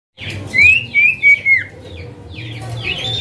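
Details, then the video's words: Male common iora (cipoh), the 'calling name' call, used as a lure for a silent bird; a run of short whistled notes, several sliding down, followed by fainter chirps over a low steady hum. "Cipoh Manggil Nama"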